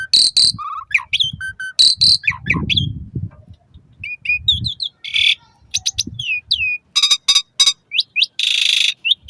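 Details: Asian pied starling singing, played to coax caged birds into song at dawn and dusk: a varied jumble of sharp whistles, buzzy harsh notes, clicks and rasping bursts, with a faint low rumble in the background.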